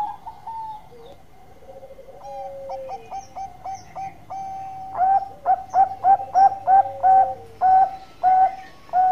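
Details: Zebra dove song used for luring birds: soft low coos give way to a rhythmic series of short, clipped, rising-then-level cooing notes repeated about twice a second, with a faint hum behind.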